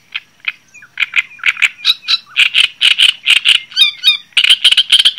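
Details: Java sparrow song starting with sparse soft clucks, building into a fast regular series of chattering notes with a few twangy whistled slurs.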